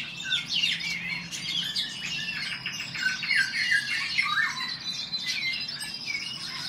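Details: Male Eurasian golden orioles in a song duel: fluty, slurred whistles that swoop down and up, delivered in quick phrases over a dense background chorus of high chirping birds.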